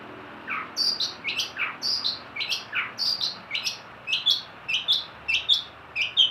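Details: Long-tailed shrike delivering a steady, rhythmic phrase: paired notes, a sweeping upslurred whistle followed by a sharp high chip, repeated roughly twice per second throughout, clear against a quiet background.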